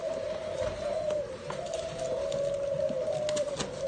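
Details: Pair of 'cu ta' spotted doves from Nam Định, Vietnam, recorded 18 April 2022; soft low coos swell and fade above a constant hum, with scattered clicks and taps behind.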